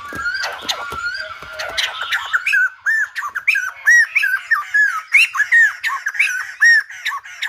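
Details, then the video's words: Song of a silver-headed babbler, described as singing like a lumba dancer: scratchy opening notes give way to a lively run of looping whistled arcs, each dipping and rising, repeated several times a second. "Khướu Đầu Bạc / Silver -headed Babbler / Singibg like aLumba Dancer."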